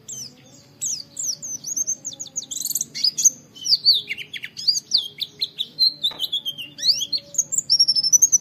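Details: Oriental white-eye training song of 'wit wit' calls, played to make other white-eyes join in. After a short silence, a long, lively stream of very high, rapid chirps and down-slurred notes builds steadily in density.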